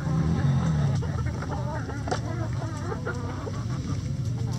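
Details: Chickens in the coop giving quick, irregular clucks and short murmured notes over a constant low droning background.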